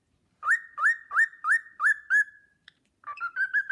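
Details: Cockatiel kept as a pet whistles the Sportpalast Waltz: six upward-swooping whistled notes in quick succession ending on a long fading tone, then a short pause and a new bouncy run of clear notes.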